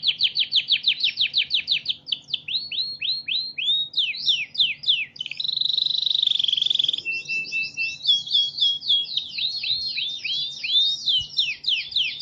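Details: Training recording of a canary in full song: repeated fast downward-slurred whistles several per second, a dense rolling trill in the middle, then more rising and falling sweeping notes and chirps; low steady hum underneath.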